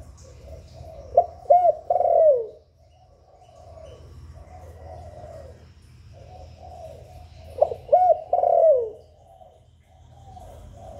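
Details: A spotted dove, recorded live for playback to stimulate kept doves, gives two soft, mellow cooing phrases about six seconds apart, each a few quick low coos run together, over a steady low background rumble.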